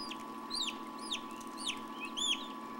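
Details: Newly hatched turkey chicks in an incubator, 2006, giving a few high, arched peeps that rise then fall, about four in three seconds over a steady machine hum.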